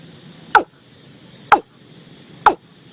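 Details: Watercock calls used as a lure, from a 2022 recording: three sharp, short notes sweeping quickly downward, spaced about a second apart, over a steady high insect hum.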